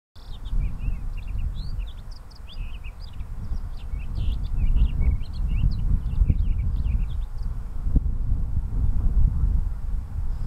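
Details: At Arctic Valley, Anchorage, Alaska, a Townsend's solitaire gives a quick, almost continuous jumble of short, high, squeaky chirps and whistles over strong wind rumble.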